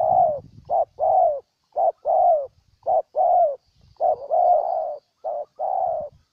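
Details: Spotted dove from Ninh Thuận, Vietnam, giving loud, close cooing: paired phrases of a short note followed by a longer, slightly falling coo, repeated about once a second with brief gaps; faint low rumbling noise at the start.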